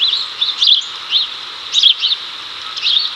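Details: House sparrows in Chicago, 2024, as a male calls a female over before they catch cicadas: bright, clipped chirps in small clusters, roughly one per second, over steady background noise.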